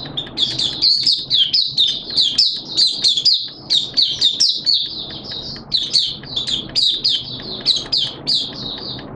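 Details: High, sweet twittering of a Malaysian white-eye, a hobby bird singing in open 'buka' style: rapid bursts of short squeaky notes, each phrase about half a second, repeated almost without pause over faint low rumble.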